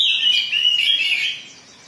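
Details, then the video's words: Oriental magpie-robin in an agitated mood, sound used as a lure to provoke singing: a bright, high warbled phrase of quick slurred notes that slides gently downward, then fades out over the last half second. "Pancingan Kacer Gacor || Suara Kacer Emosi"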